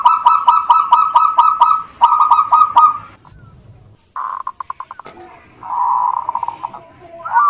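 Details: Local zebra dove used as a lure recording: quick bursts of soft, low, staccato cooing notes, about four or five per second, broken by short pauses.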